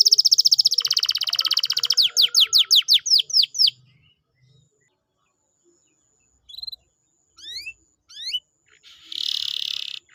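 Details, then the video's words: Canary singing as a lure to coax a reluctant canary to sing: an opening rolling buzzy trill, followed by a string of sharp descending whistled strokes, then silence broken by a few isolated upward chirps and a final harsh buzz. "pancingan kenari malas bunyi/agar gacor lagi"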